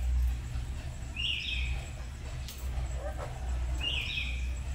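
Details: Household black-capped lories duetting at dawn hours as they learn to sing: two matching sharp, rising whistled notes roughly two and a half seconds apart, faint clicks between, over a low hum.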